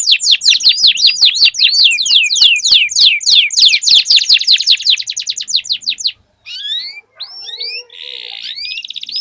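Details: Duelling canaries deliver a long rolled song, a steady fast train of sharp descending whistled notes for six seconds, then a brief pause followed by scattered upward slurs and a short buzzy burst.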